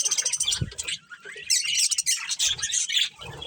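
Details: Breeding pair of budgerigars chattering: rasping squawks and high twitters in quick succession, a short dip in activity, then renewed dense warbling with a few soft low thuds.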